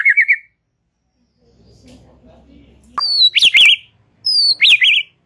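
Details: White-rumped shama giving relaxed chatter, played to stimulate young and wild-caught young birds. A short wavering trill is followed by a quiet gap with faint low rumble, then two loud high phrases of sweeping whistles and buzzy notes.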